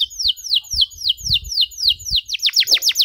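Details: Tutor song of a 'gacor' canary with 'cengkok mewah' phrasing for young canaries: regular high descending whistles about four per second, switching to faster, deeper-sweeping notes near the end.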